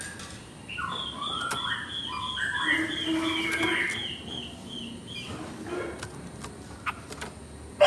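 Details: Chinese hwamei singing at moderate distance, a chain of repeated whistled notes in stepped phrases, with background hiss and a few clicks.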